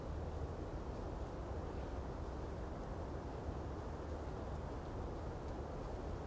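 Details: Steady low rumble of distant traffic or engines fills the recording, with no animal voices heard.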